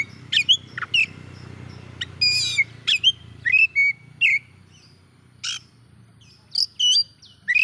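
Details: Oriental magpie-robin singing to provoke rival magpie-robins: varied whistled slurs and short rasping notes in uneven bursts, with low background rumble early on.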